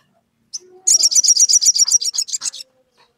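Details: A sogon calls out to a rival bird, meant to provoke it into singing. It delivers a fast, even trill of about fifteen high, chattering notes over roughly two seconds, preceded by one sharp chip.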